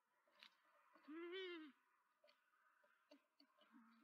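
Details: Long-eared owls at a nest in Tiszavasvári, Hungary, on 9 April 2024, as the male delivers mice to the female: a single brief, rising-then-falling nasal squeal with rich overtones, then faint clicks and rustles.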